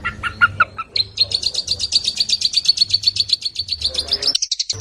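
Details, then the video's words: Long-tailed shrike singing fast: a few lower chirps, then a long, very rapid high trill of evenly repeated notes, about four per second, ending in a brief break and sharp higher notes. "Masteran cendet, speed jossssss"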